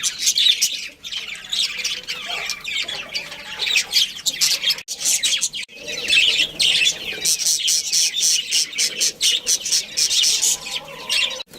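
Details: A budgerigar colony, including a breeding pair, keeps up loud, busy chatter: overlapping high chirps, scratchy squawks and warbles with brief pauses.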